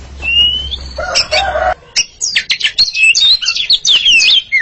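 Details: Oriental magpie-robin pair singing against each other, a long whistle and a harsh rasp followed by a lively burst of rapid, varied whistles and trills.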